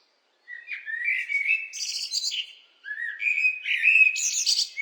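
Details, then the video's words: Two phrases of blackbird song, sweet descending whistles leading into high scratchy trills, sung clearly against a silent background. "What do blackbirds sound like?"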